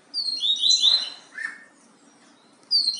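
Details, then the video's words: Yellow-bellied seedeater singing the Bahia song type: quick high whistled and slurred notes tumbling downward, a lower buzzy note, a pause, then the phrase starting again, over a quiet background. "PAPA CAPIM BAIANO"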